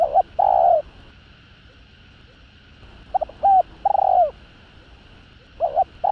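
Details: Spotted dove in 'hạp bổi' voice, a song for stimulating male birds: hollow coo phrases with stuttering lead-in notes and a drawn, falling final coo, separated by a silent gap of about two seconds, soft background hum.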